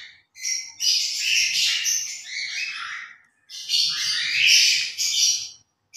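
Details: Pet grey parrot in its morning routine, talking: two long bursts of bright, high chatter, a rapid jumble of whistles, chirps and squeaky syllables mimicking speech, with a brief pause between them.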